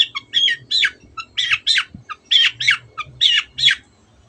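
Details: Long-tailed shrike (cendet) in 'gacor' song meant to provoke other birds to sing: about ten harsh, grating squawk-like bursts with whistled touches, roughly one per half second, ending in silence.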